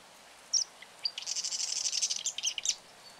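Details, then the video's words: One sharp introductory note, then a sustained, rapid, sizzling Marsh wren trill about a second and a half long, ending with a few separate chips. "Marsh Wren - Song & Call"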